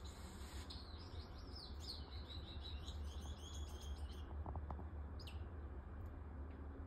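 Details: An aqua blue Scarlet-chested parrot (Neophema splendida) pair in an aviary, preparing for nesting, give soft, high twittering chirps in a quick run for about three seconds, then one more chirp, over a steady low hum.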